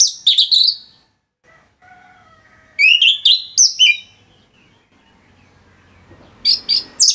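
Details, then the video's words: Dense, busy song of an orange-headed thrush, used as a tutor recording for other songbirds: three bursts of high, sharp warbles and chirps separated by quiet gaps, each phrase tumbling and slurring, with faint low background rumble. "ANIS MERAH Gacor Suara Rapet Bagus Untuk Memaster Burung Punglor"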